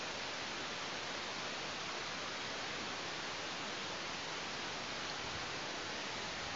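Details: Quiet, even hiss of static noise throughout, with no animal sound.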